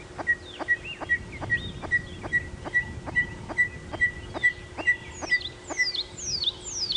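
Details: Red-crested korhaan males competing in display at dawn, 9 November 2016, during a live bush drive, giving quieter calls in turn after running and sitting down. Steady dry clicks, each paired with a short whistle, end in a run of loud descending whistles.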